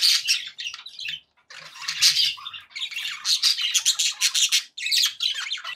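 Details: Pet budgerigars in a happy mood, loud busy chatter of harsh squawky notes mixed with quick warbled chirps, one brief pause near the start, then steady overlapping chattering to the end.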